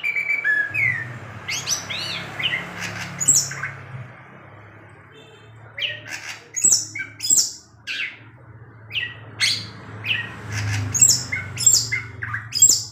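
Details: Long-tailed shrike kept in a cage, singing at night and moving its tail: scattered harsh squawks and sharp high chirps in uneven bursts, separated by pauses, over a constant low electrical hum.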